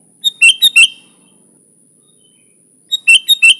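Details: Lure song of a sooty-headed bulbul: two phrases of four quick, loud, liquid whistled notes, about two and a half seconds apart, with a steady thin whine behind them.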